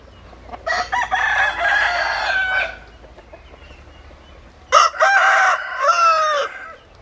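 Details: Domestic rooster crowing twice, each crow a loud harmonic call lasting about two seconds with a rising start and a long held, slightly falling ending, separated by quiet background.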